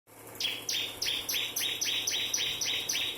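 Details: Bar-winged prinia, ciblek kristal type, giving its rapid 'nembak' style song: a fast run of loud, buzzy two-part notes, each a high flick dropping into a rasping burst, about four per second, over quiet background hum.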